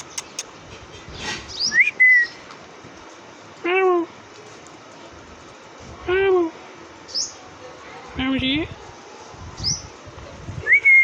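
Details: Talking parrot imitating meowing and greetings; several separate hoarse, meow-like falling calls with stacked harmonics and short rising whistles, spaced a few seconds apart, with a person's voice nearby.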